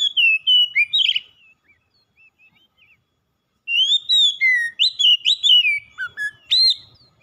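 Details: An oriental magpie-robin, triggered out of silence into nonstop gacor song, delivers rapid whistled phrases with slurred and buzzy notes, quiet soft notes in a gap, then a fresh lively burst ending in lower downslurred whistles.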